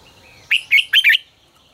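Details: Red-whiskered bulbul, 'ché căng lửa' style training song: four loud, liquid whistled notes in quick succession, slightly buzzy and bubbling, over a quiet background.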